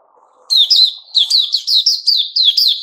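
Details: A white-rumped shama sings on 29 August 2021. One loud whistled note opens the phrase, then after a pause comes a fast run of repeated, bright, downslurred whistles at a steady rhythm, over a faint low hum.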